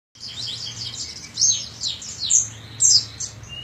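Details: Oriental white-eye song used as training audio for young birds: rapid high twittering warbles with bright sharp notes in bursts, steady faint low hum beneath.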